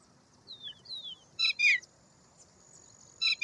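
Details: Indian roller (Coracias benghalensis), known as Paala-pitta or neelkanth, giving short harsh rasping bursts: a quick double burst, then another pair near the end. Thin descending whistled notes from another bird come just before.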